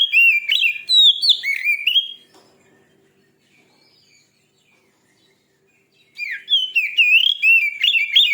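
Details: Fierce-sounding Oriental magpie-robin song meant to provoke other magpie-robins: loud, varied whistled phrases of quick looping slurs, a two-second burst then about four seconds of near silence before another rapid burst.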